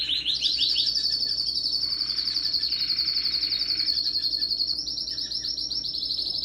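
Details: Pet canary singing powerfully on December 17, 2021: a loud, fast high trill of rapid repeated notes held for several seconds, with a lower buzzy roll in the middle and a shift to a new trill near the end.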